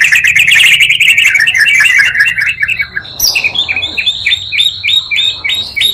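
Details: Provocation track joining two Oriental magpie-robins' songs to excite other magpie-robins; a rapid buzzy trill of dense notes, then a steady series of short sharp high whistled notes repeated several times per second.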